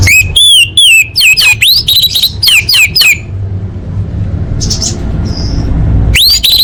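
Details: Orange-headed thrush song for training contest birds: a loud series of about ten clear rising-falling whistled notes in quick succession, a pause with faint high sounds, then the phrase resumes, over a low hum.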